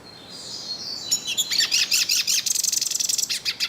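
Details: A yellow-faced siskin in the wild opens with a thin, drawn-out high whistle, then breaks into an accelerating series of clipped high chirps and buzzy notes.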